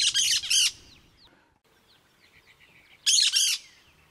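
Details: Cactus parakeet (Eupsittula cactorum), call.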